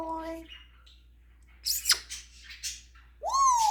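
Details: African grey parrot performing its repertoire of imitated sounds: a short steady whistle with harmonics, a few thin high whistles, a burst of sharp clicks, then a loud falling whistled note at the end.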